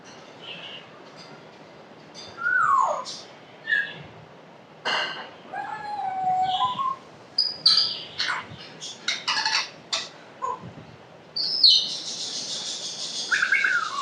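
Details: African grey parrot kept as a pet produces a varied string of swooping whistles, clicks, squeaks and harsh, noisy bursts, changing sound every second or so without a steady rhythm.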